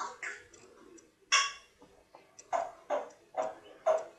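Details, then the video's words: Ruby, an 18-month-old female African grey parrot learning to count, speaks in short, clipped, voice-like syllables, a quick run of four evenly spaced words near the end, as if counting aloud in a quiet room. "African Grey Parrot, Ruby, learning to count"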